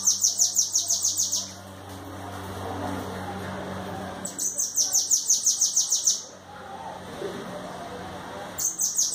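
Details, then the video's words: Bananaquit song: high, thin buzzy trills of rapidly repeated notes, each burst lasting about a second and a half and recurring every few seconds, over a low background hum with faint voices. "O melhor canto de sibite."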